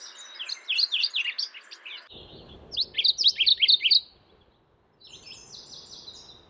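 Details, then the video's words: Mourning warbler repeating a loud, rolling chant of paired slurred notes, two full phrases of about two seconds each, followed by a softer, more distant phrase over light background hiss. "Mourning warbler Calling"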